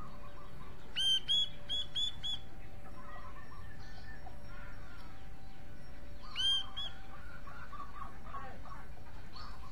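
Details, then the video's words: Cucak jenggot (grey-cheeked bulbul) sings short bursts of four sharp, bright whistled notes, a pause with soft scattered calls and a faint steady tone, then another brief whistled burst. "Cucak jenggot mencari teman karaoke"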